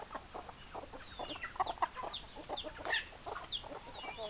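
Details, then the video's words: Hens clucking in a flock: busy, overlapping, short clucks in quick runs, mixed with sharp high falling peeps and squeaks, louder bursts near the middle and end. "Chicken Sounds Noises Hens Clucking Roosters Crowing"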